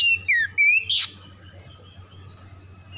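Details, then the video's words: Oriental magpie-robin song used as a lure to make silent magpie-robins sing: a few loud whistled phrases, sliding and dipping notes with a bright upslurred flourish, then quiet, over a low steady hum. "PANCINGAN TERCEPAT KACER MACET BUNYI LANGSUNG GACOR"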